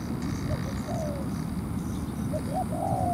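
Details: Ground decoy spotted dove luring a wild dove to fight, a few brief slurred coos, with a longer drawn note at the end, over low rumbling background noise.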